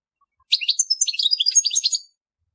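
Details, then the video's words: Telqam-style song of a European goldfinch: a dense burst of about one and a half seconds of fast, jangling, high chirps and twitters run together without pause, against a silent background. "Chant Chardonneret telqam"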